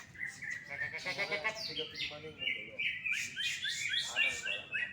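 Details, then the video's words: Contest-winning greater green leafbird in full song: a burst of sharp chattering notes followed by a sequence of clear rising and falling whistles repeated in quick succession, soft voices behind. "CUCAK IJO FOLLUM PEDES MUTLAK KEBAKARAN JUARA 1"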